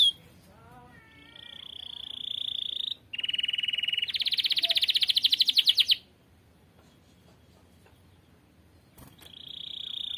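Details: Canary singing actively for tutoring other birds: sustained whistled tones and a rapid pulsed trill, a pause of about three seconds, then a steady high tone resumes.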